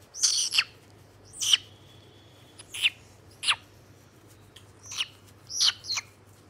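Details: White-bellied caique recorded 27 August 2022: short harsh screeching calls, bright and high, given in separate bursts of one or two notes, about seven calls over six seconds with quiet gaps between.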